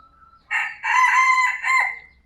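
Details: Sumatran red junglefowl rooster crowing in a farm pen after morning feeding: a short, hoarse, harsh crow in three linked parts, a brief first note then a longer strained middle and a clipped ending.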